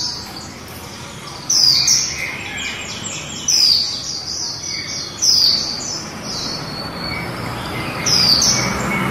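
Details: Female white-eye giving líu song: after a quiet start, loud high sweeping bursts of twittering arrive about every two seconds, each fading into softer thin chatter.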